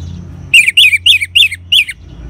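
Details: Ngeban-style song of an orange-headed thrush, used as a lure for caged birds: five loud, harsh, slurred notes falling in pitch, spaced evenly over about one and a half seconds.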